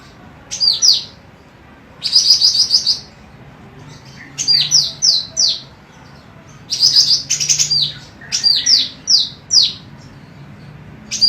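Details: Golden cucak rante female, a prolific singer used to teach other birds, pours out repeated clusters of rapid, high, downslurred whistles and buzzy trills, phrases coming every one to two seconds over a faint hiss.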